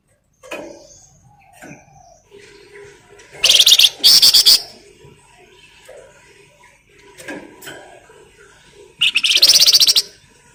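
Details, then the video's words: Flamboyan bird singing actively, used as a lure to provoke other birds into song: two loud bursts of rapid, buzzy, high trills about a second long, separated by quieter scattered short notes and pauses. "Pancingan Burung Flamboyan Gacor"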